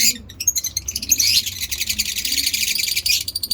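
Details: African lovebird mutations, kept as pets, give a long ngekek chatter: a dense, unbroken stream of shrill, rapid, scratchy notes after a few separate opening chirps.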